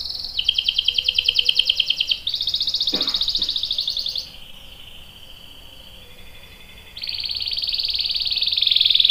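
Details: Canary rolling song played to draw answers from other canaries: loud rapid trills, a softer, quieter stretch of low rolling notes with a brief click, then a strong fast roll again.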